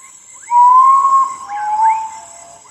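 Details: Common Potoo, called urutau or ghost bird, singing at midnight: a long loud whistled note near one pitch, then softer lower whistles, with a steady high hiss in the background.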